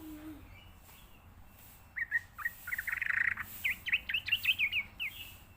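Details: Sooty-headed bulbul lure song used for training and conditioning young birds: after a quiet start, a quick run of short, bright chirping notes at a similar pitch, several per second, for about three seconds.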